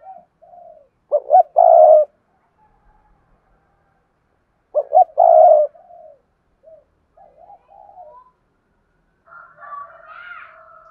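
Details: Spotted dove kept as a decoy, cooing to lure wild doves: two loud three-part phrases, two short notes then a long hoarse coo, about four seconds apart, with softer murmured coos between and a higher faint call at the end.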